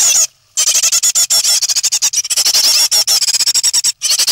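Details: Great tit chicks in the nest, three remaining and nearly ready to fledge, 9 May 2017. A dense, continuous chorus of shrill, rasping peeps rattles out almost without pause.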